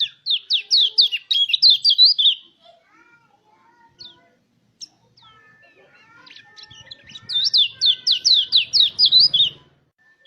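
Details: Mountain white-eye song meant to stimulate other white-eyes to sing: two loud bursts of rapid, high, buzzy up-and-down chirps, separated by a quieter stretch of scattered soft notes and a thin steady tone.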